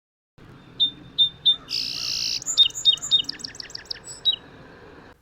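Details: A Song Sparrow sings three clear, high repeated notes, then a harsh buzzy burst, then a quick jumble of falling, trilled notes, against a quiet background.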